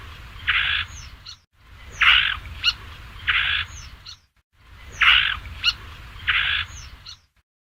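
Basra reed warbler giving harsh, grating churrs in half-second bursts, each followed by sharp rising chips, the phrase repeating every three seconds over a low background rumble.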